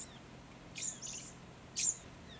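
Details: Little Lorikeet (Glossopsitta pusilla) in the Capertee Valley, NSW, in mid September 2019, drawn to the ground by an artificial pond. Two very high, shrill screeching bursts come about a second apart over a quiet background.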